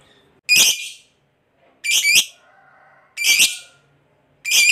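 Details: Fighter lovebird, a cage bird kept for its long ngekek trill, giving four separate harsh, buzzy squawks at roughly one-second intervals, with quiet pauses between.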